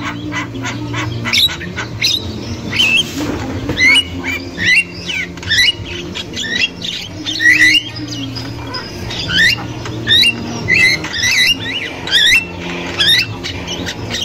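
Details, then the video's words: Javan myna in the wild, a female chattering, played to draw young mynas: rapid scratchy clicks and squawks interleaved with bright upslurred and hooked whistles, rolling on for the whole stretch above a faint low hum. "Burung Jalak Kebo Super Gacor Untuk Pancingan Jalak Kebo Muda"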